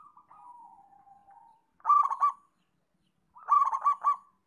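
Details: Singing local zebra dove: a low, drawn-out purring note, then two separate bursts of quick, bubbling cooing notes about a second and a half apart, with silence between.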